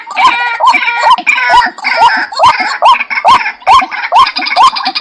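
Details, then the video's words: White-breasted waterhen repeating a throaty, upslurred croak a little more than twice per second, each note backed by a grating, many-layered rasp. "suara burung ruak"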